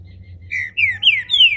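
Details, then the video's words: Captive green-winged saltator, kept by a registered breeder in Brazil, warming up into its main song: three clear whistled notes, each sliding downward and stepping higher than the last, over a faint low hum. "trinca ferro MULEKE, abrindo canto... canto principal!!!"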